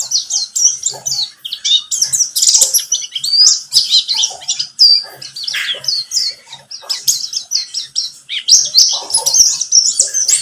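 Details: White-eye, called pleci buxtomi, in a lure track to set birds singing; the song is a dense, excited jumble of high squeaky notes, trills and chips, surging in louder bursts.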